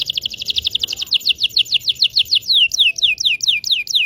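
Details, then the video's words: Local Indonesian canary song used to teach young canaries to sing: a fast, steady series of sharp, high descending chirps, about four per second, over a faint low hum. "PANCINGAN KENARI MACET BUNYI.. PANCINGAN KENARI PAUD BELAJAR BUNYI"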